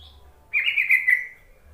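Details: Yellow-vented bulbul call played to goad reluctant bulbuls into song. A single rich, bubbly warble under a second long, wavering then trailing off, over a faint low hum.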